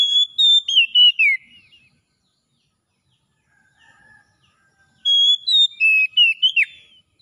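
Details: Wild-style 'ngalas' song of an Oriental magpie-robin, used to bring a silent magpie-robin back into song: a rich whistled phrase with drooping slurs opens, a quiet pause with faint notes follows, then a second loud whistled burst.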